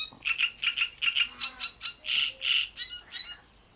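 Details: Great reed warbler at Bohdanečský pond: strident, croaky paired notes repeated quickly, then louder rasping syllables in a steady rhythmic sequence lasting about three seconds.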